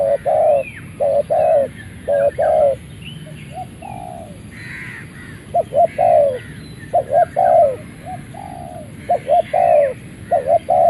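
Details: Malay-line spotted dove, a ground-decoy bird, crowing right after being let out of its box: low mellow coos in short doubled and tripled phrases, repeated through the clip, with faint higher chirps from other birds and a steady background hiss.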